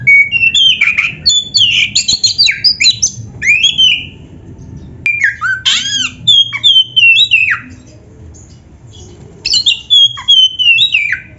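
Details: Energetic kacer, the oriental magpie-robin, sings a rich rich-patterned training song for caged birds: quick runs of clear slurred whistles, buzzy and squeaky notes, a long quiet gap, then a descending whistled phrase, with low background hum.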